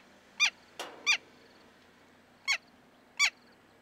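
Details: Giant kingfisher in Kruger National Park giving four loud, harsh, honking notes, each sliding slightly downward, spaced unevenly about a second apart, with one sharp knock between them.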